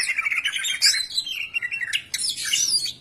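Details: Greater green leafbird (cucak ijo) song used as a lure so other birds sing readily: a rapid, varied run of high chirps and sweeping whistled slurs, with a bright rising note near the end.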